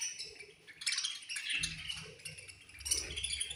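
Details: Budgerigars in a colony at feeding time, chirping together: dense, busy high twittering chatter with bursts of warbled notes over a soft low rumble indoors.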